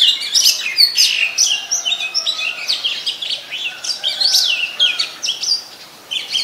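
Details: Common myna, Ubon Ratchathani, Thailand, 15 March 2021, recorded on a Nikon P1000: loud, varied stream of squeaky chirps, clicks and rising whistled notes in quick irregular succession.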